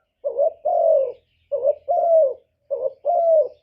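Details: Decoy spotted dove lure-calling: three clear low coo phrases, each a quick note followed by a longer, smoothly falling one, evenly spaced.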